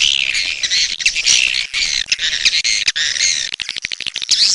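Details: Swiftlets producing a steady wash of shrill, high twittering, ending in a run of rapid sharp clicks and a few chirps.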